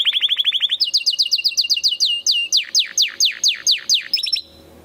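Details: Canary singing a fast, loud series of repeated notes: rapid upswept trills near the start, then a run of evenly spaced descending whistled slurs at about four per second, ending in a brief high flourish before falling silent; faint steady hum beneath.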